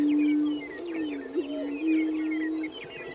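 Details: Prairie chicken lekking at Fort Pierre National Grasslands, South Dakota. A steady, low, hollow drawn-out tone holds for over two seconds, with a brief wavering in the middle. Many high twittering and chirping notes from other birds sound throughout.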